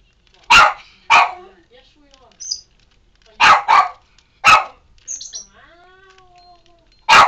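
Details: Pet Meyer's parrot (Poicephalus meyeri) gives harsh, grating aggressive squawks, often in quick pairs, with thin high chirps between, directed at a pet Senegal parrot it dislikes; a faint voice is in the background.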